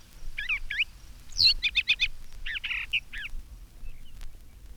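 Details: A Brown Thrasher sings in spring from a treetop, tail down and head up, varied, rich phrases, some doubled, including a quick burst of four rapid notes, with a faint background hum.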